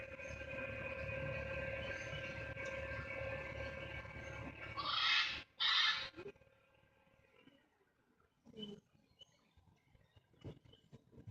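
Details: Feral blue-and-gold macaws in wild Florida, seen from a boat ride at Gator World off Highway 50 on December 25, 2016, give two loud, harsh, raspy screams, then fainter squawks, over steady engine rumble.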